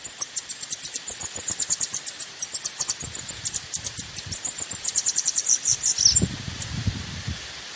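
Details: Bananaquit song used as a lure to stir up and warm up birds: long run of very high, thin, rapid ticking notes packed tightly together for nearly eight seconds, with a faint low rumble near the end.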